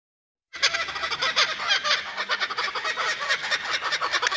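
A pair of laughing kookaburras cackle together after a half-second pause: loud, harsh, rapid chuckling notes that overlap into a continuous raucous chorus.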